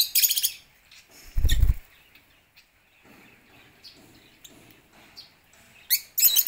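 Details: Aviary lovebirds crowding in at feeding time on corn: sharp, high-pitched chirps at the start and end, a loud low thump of wingbeats early on, and faint scattered chatter in between.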